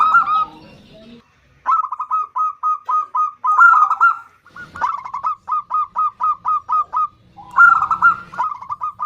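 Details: Female zebra dove summoning a male gives three bouts of rapid, repeated short coos, each bout opening with a fuller rolling note and running off into evenly spaced staccato notes.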